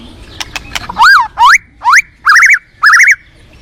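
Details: Forest white-rumped shama giving a few soft clicks, then five loud whistled notes: upslurs followed by warbled, wavering whistles, each about half a second apart.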